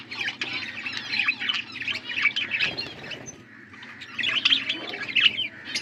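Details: Blue budgerigars feeding each other, chirping in dense bursts of harsh, scratchy warbles, with a short quieter gap near the middle before the chatter resumes.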